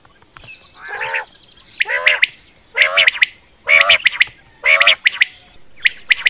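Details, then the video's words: Quail calling, as used by night hunters: a series of coarse, harmonic squawks, about one per second, interleaved with crisp ticking clicks, on a quiet background. "Quail Voice Sounds For Hunting Raat Ki liye Saaf Awazay Quail sounds Batair Ki Awaz"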